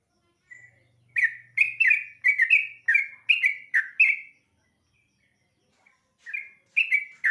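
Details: Sooty-headed bulbul at dawn, fed on dried rice. After a soft opening note, a rapid run of lively, slurred chirps follows, then a pause and a short closing phrase of two or three notes. A faint low hum lies underneath.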